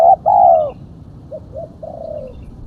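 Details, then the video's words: Female spotted dove call used as a lure for other doves: a short coo, then a longer, slightly falling coo, followed by two soft short notes and a drawn-out falling coo, over low background rumble. "Suara burung tekukur betina /pikat tekukur betina"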